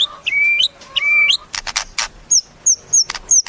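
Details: White-rumped shama singing: long level whistles with rising ends, then bursts of harsh broadband notes and a series of short high whistled slurs repeated about every third of a second.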